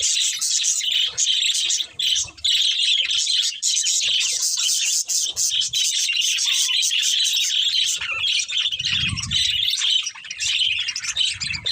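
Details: Steady, loud budgie chatter: overlapping high chirps and scratchy warbling run almost without pause, with a faint low murmur near nine seconds.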